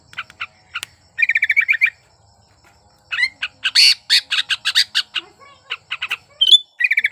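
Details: Sooty-headed bulbul in breeding condition, singing hard to draw song from lazy birds: a fast chattering run, then a dense jumble of loud harsh notes, a bright rising whistle, and more chatter at the close.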